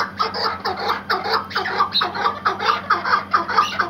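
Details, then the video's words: Iraqi white hunting partridge (keklik) gives a fast run of harsh, chuckling notes, about two per second, in a steady rhythmic stream with a faint low hum beneath. "MUHTEŞEM KEKLİK HENGAMESİ"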